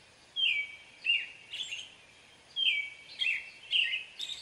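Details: American robin singing two groups of clear whistled phrases, each opening with a long falling note followed by shorter warbled notes, quiet hiss behind.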